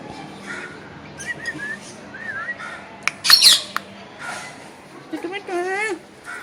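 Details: Green parrot vocalizing indoors: short wavering whistled notes, a harsh broadband squawk, then a series of quick rising-and-falling harmonic calls, with quiet gaps in between.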